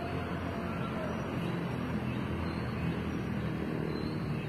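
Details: Steady low rumble of passing vehicles fills the recording, with faint distant voices and no animal calls.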